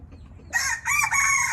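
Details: Indian red junglefowl crowing: a loud, harsh, hoarse crow breaks in after half a second, rising in two bursts with a short gap between them, over quiet low background rumble.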